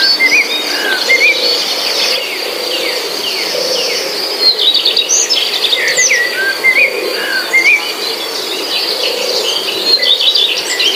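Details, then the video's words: Forest scene with birds calling: brief upslurred chirps repeated at irregular intervals, a few sharp high notes, all set against a continuous high-pitched insect background. "suara kicau burung"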